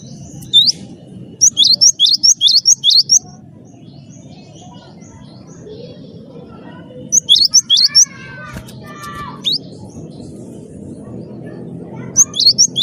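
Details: Lively gelatik batu wingko, a cinereous tit, used to get other birds singing: bursts of rapid high hooked chirps, each run several notes long, separated by quieter stretches with softer twitters and a low constant hum.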